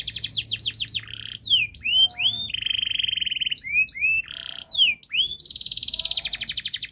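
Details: Canary delivering a long, rapid, dense song for training young canaries: quick descending sweeps, buzzy rolled passages, bright rising notes, finishing in a fast pulsing trill.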